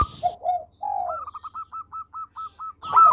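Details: Zebra dove of local stock singing: two low soft coos, then an even series of about ten short, clipped, evenly spaced notes at a steady higher pitch, ending in a louder burst; faint low hum behind.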